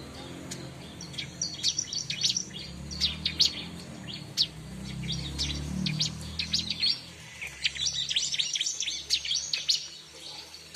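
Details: Bar-winged prinia singing, a recording meant to attract wild prinias: repeated bursts of high, sharp chirps in rapid clusters with brief pauses, a busy twittering stretch near the end, and low rumbling noise underneath.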